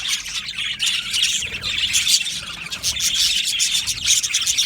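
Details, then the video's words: Budgerigars in an aviary colony, a dense, continuous mix of scratchy, buzzy chirps and warbling twitters from many birds at once, rising and falling in loudness without pause. "Budgies birds chirping sounds"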